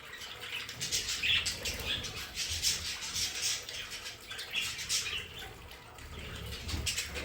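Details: Pet budgerigars chatter in a decorated play area, mixing short squeaky chirps and rasping warbles in irregular bursts, over faint low rumbling background.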